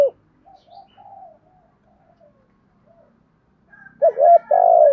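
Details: Spotted dove calling in the thúc gù style with a giọng thổ voice: soft, faint low coos through most of the stretch, then a loud, clear two-part coo near the end, a short note followed by a longer, slightly falling one.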